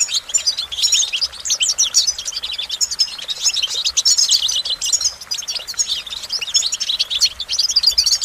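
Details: Continuous goldfinch song, dense high chattering with tinkling, fast-changing notes and buzzy trills running through the whole stretch without pause.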